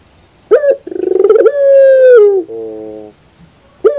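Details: Morning song of a puter pelung dove, a crisp note and a fast rolling trill leading into a long, smooth coo that falls at the end, trailed by a soft low hum and a new phrase beginning.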